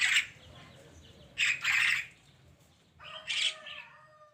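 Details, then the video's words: Javan myna singing in the morning: three loud bursts of harsh, squawky chattering notes about 1.5 seconds apart, the last with a clearer whistled tone, quiet between phrases. "kicauan burung kerak di pagi hari"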